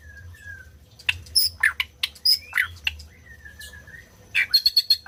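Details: White-rumped shama singing, used to stimulate silent birds to sing; thin drawn-out whistles and sharp clicking notes, ending in a fast rattling burst of high notes.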